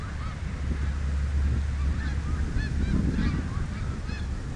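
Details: Snow geese on the Richelieu River give short, high nasal honks in quick, uneven succession, about three or four a second, over a deep, continuous low rumble.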